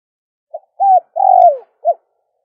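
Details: Dove call used to lure doves: a short soft coo, then a longer steady coo, a drawn-out coo falling at its end, and a final short coo, all low and clean over silence.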